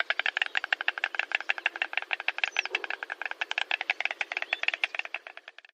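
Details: Stork sound: a fast, sustained rattle of crisp knocking pulses at a steady rate, fading slightly at the very end, heard clearly without background noise.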